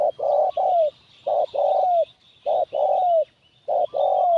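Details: Spotted dove lure call gives soft, hollow coos: a short note, then a longer one with a sliding ending, repeated about every second, over faint hiss.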